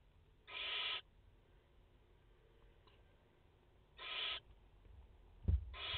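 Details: Barn owls at a nest in France, a mother with four chicks, late August 2021; two harsh hissing screeches about three seconds apart, then a third beginning, with a knock in between.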